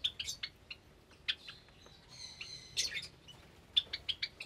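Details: Several Java sparrows housed in an aviary where more chicks have recently hatched, Sunday morning in May 2022; sharp high chips come in quick bursts, with a thin, sustained squeaky note in the middle.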